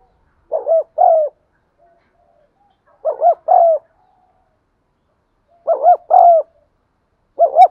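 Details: Spotted dove cooing to trigger song in caged doves: clusters of three or four quick coos, the last drawn out and falling, repeated every two to three seconds with silences between.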